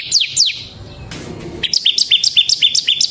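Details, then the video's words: Bar-winged prinia, ciblek semi type, singing as a training lure: two high falling notes, a short noisy pause, then a brisk run of clipped, bright chirps. "suara burung CIBLEK SEMI GACOR Ngebren Ampuh untuk Pancingan Ciblek Kristal dan Masteran Ciblek"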